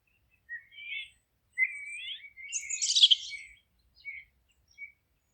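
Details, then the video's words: Bird singing in a forest, a few short rising whistles and warbled phrases building to a loud, dense scratchy trill, then two brief separate chirps with quiet gaps between. "Forest relaxing sounds of singing birds"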